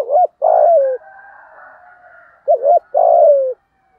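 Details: Spotted dove cooing with a 'thổ' voice to provoke a rival male. Two low coo pairs, each a short wavering note then a longer falling coo, separated by a faint drawn-out background tone.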